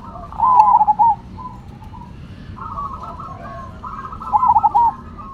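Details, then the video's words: Cemani and Silver zebra doves sing against each other. A rapid, bubbling coo phrase opens, softer overlapping coos fill the middle, and a second loud trilling phrase follows about four seconds after the first. "Perkutut Cemani Gacor Vs Silver Gacor"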